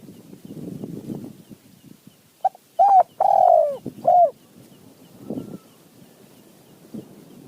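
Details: Wild spotted dove in Thailand answering a decoy, calling in a short run of hollow coos around 2.5 to 4.5 seconds, each note rising then falling, with soft rustling and faint background noise before and after.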